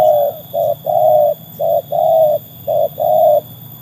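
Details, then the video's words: A trained spotted dove sings in a test against wild birds. Seven hollow, even coos of alternating short and longer lengths come in a steady rhythm, about one a second, over a low background hum. "kualitas burung tekukur ajaran sudah teruji oleh burung liar"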